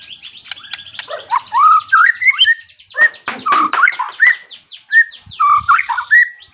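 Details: White-rumped shama singing persistently to call a rival, a song used to provoke other shamas into singing. Rich, varied outpouring of clear whistled slurs rising and falling, mixed with rapid buzzy trills and sharp clicks, phrases following almost without pause.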